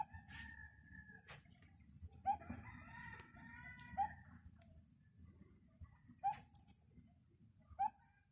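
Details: High in a tree, a bird repeats its short upslurred call several times at irregular intervals, with a longer, lower layered sound midway and a steady low background rumble.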